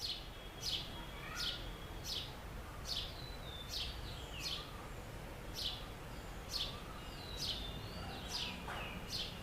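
House sparrow giving bright, repeated chirps, roughly one every second, with faint chirping from other birds and a low background rumble.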